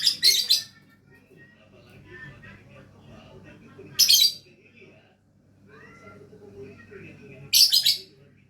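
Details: Lovebird giving three separate bursts of harsh, buzzy high chatter spaced a few seconds apart, with low indoor background hum between them.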